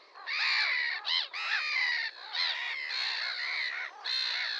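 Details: Red-crested pochard calling with long, loud, rasping squawks that run almost continuously in drawn-out bursts with brief gaps, rich in harmonics, against a quiet background.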